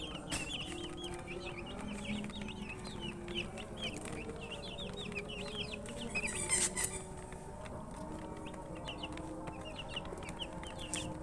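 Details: Thirsty chickens' chicks wanting drinking water, a flock cheeping in dense overlapping bursts of thin falling chirps, with a low background hum and a brief rustling noise midway.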